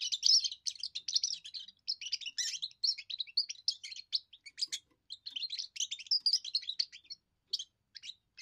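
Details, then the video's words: Young European goldfinch delivering its first song, a display of territory and attractiveness to females: a long, nearly unbroken flow of quick liquid twitters, buzzy trills and bright chirps, with brief pauses near the end. "first song of a young goldfinch amazing wonderful singing"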